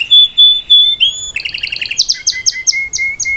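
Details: Singing salsa canary teaching its youngster: long pure whistles, then doubled chattering notes and crisp downslurred high notes alternating with short lower pips.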